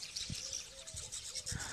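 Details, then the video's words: A large flock of rosy starlings at Musinci, Pelagonia, makes a dense, continuous wash of high chattering and squeaky calls, with a few low thumps underneath. "Јато птици го “нападнаа“ Мусинци, Rosy Starling"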